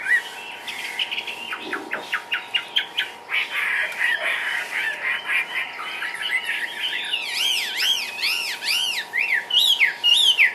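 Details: Chinese hwamei, a caged bird hopping and dancing, delivering ngũ trường style song: fast repeated sharp notes, a buzzy warbling stretch, then a series of loud arched whistles repeated rapidly.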